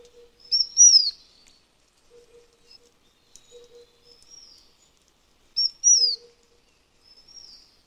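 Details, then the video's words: Taiwan endemic Taiwan fulvetta from high mountain areas: two similar phrases about five seconds apart, each a high chip and a falling whistle, with softer high notes trailing after and a faint low hum. "灰頭花翼(褐頭花翼)/Taiwan Fulvetta"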